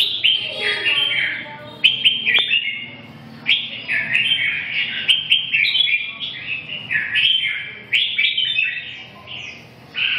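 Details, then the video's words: Red-whiskered bulbul singing: bright, warbled phrases repeat in short bursts separated by brief pauses, each phrase rising and falling with rich, fluty notes. "chim Chào mào"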